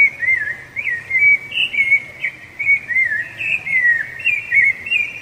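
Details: Rufous-bellied thrush, a songbird that marks territory and attracts a female: clear, loud, whistled phrases sliding up and down, delivered in a steady warbling run with short breaks between notes, with no other sounds intruding.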